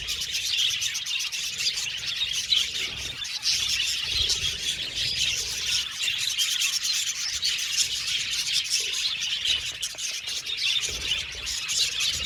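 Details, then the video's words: Aviary colony of happy budgies chattering nonstop, many overlapping high chirps and warbles blending into a steady, busy twitter throughout. "Happy Budgies Chirping Sound"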